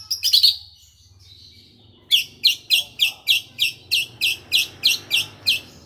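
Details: Fluent grey-cheeked bulbul imitation by a white-rumped shama: a brief burst of bright notes, a pause, then a regular series of sharp, clipped high chirps repeated roughly three times a second over a low hum.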